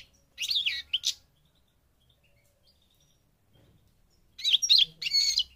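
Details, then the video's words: North African European goldfinch of subspecies parva in Morocco gives two short bursts of high, liquid, buzzy twittering several seconds apart, with near silence between them. "The Goldfinch's Song North Africa - Parva Morocco Bird Song"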